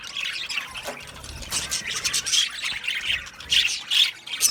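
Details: Budgerigars in an aviary colony trading harsh squawks and chattering warbles in uneven bursts, several birds overlapping, with louder calls near the close.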